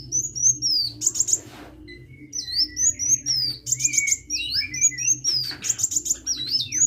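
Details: Vigorously singing (gacor) sunbird delivering high, looping whistled phrases and scratchy trilled bursts, with a brief pause early on; a low steady hum runs underneath.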